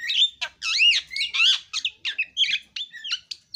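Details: Javan myna delivering varied warbled phrases: looping, up-and-down whistles and scratchy slurred notes in a fast, uneven sequence.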